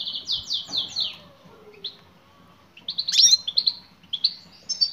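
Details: European goldfinch hen calling to a male. A quick series of descending high slurred notes opens, then a quiet pause, then a lively burst of bright twittering chirps.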